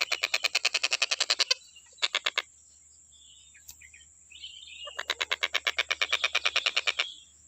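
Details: Stork-billed kingfisher recorded as a master voice for songbird training: two rapid trains of loud, harsh repeated notes around a quiet middle stretch, with a faint twittering call between them.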